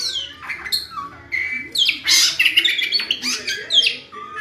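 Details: Oriental magpie-robin in full song, delivering loud, varied whistles, harsh bursts and quick slurred phrases in rapid succession.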